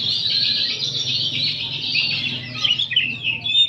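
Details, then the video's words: Afternoon chorus of many oriental magpie-robins, recorded to train other birds, a dense continuous wall of overlapping high warbling and whistles, with a few clearer slurred notes near the end and a faint low hum. "Kicauan kacer ombyokan bahan disore hari dijamin kacer anda buka ekor!!!"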